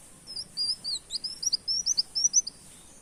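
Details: Brown-throated sunbird on a luring track singing its canary-like tembak kenarian style: a quick string of high, thin, slurred notes, about five per second, rising and dipping in pitch, with little else audible.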